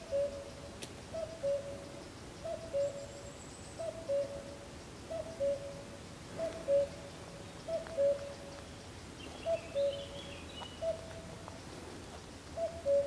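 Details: Common cuckoo, only heard, near San Antolín pond in Zamudio's Goikomendi on 7 May 2020, repeating about ten soft, falling two-note cu-coo calls at a regular pace, with faint distant chirps behind.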